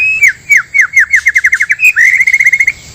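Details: White-rumped shama, male and female, natural song used as a lure for trapping; a loud run of about twenty clear whistled downslurred notes that speeds up, then a sustained buzzy, rattling trill to close.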